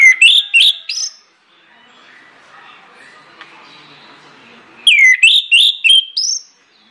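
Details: Orange-headed thrush singing as a lure to make other birds sing: two phrases of loud, rapidly repeated whistled notes with downward slurs and rising ends, separated by about three seconds of quiet.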